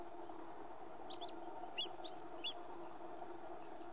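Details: Long-billed dowitcher at the Salton Sea, California, USA, giving five sharp, high 'keek' notes in loose pairs over about a second and a half, against a steady low rumble of wind or distant noise.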